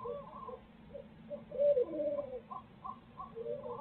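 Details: Barred owls at a nest in Midtown Tulsa, where the pair share parenting duties, recorded by a live nest camera. Tonal hooting notes with a louder wavering, sliding call in the middle over steady low hum.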